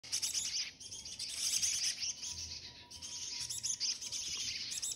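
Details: Feeding chickadees keep up a thin, high twittering of quick overlapping chips and tseets, with several birds calling at once and hardly a pause.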